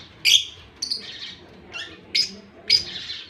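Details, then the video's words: Begging budgie chicks being fed by a male on October 18, 2023, giving five short, harsh, high chirps spaced roughly half a second apart against a quiet background. "Budgie is Australian chicks a baby feeding male"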